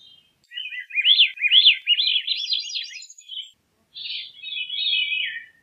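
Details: Veery song: a rolling series of looping, spiralling whistled notes that swirl up and down in quick succession, then a short pause and a second, lower buzzy-rolling phrase; no other sounds.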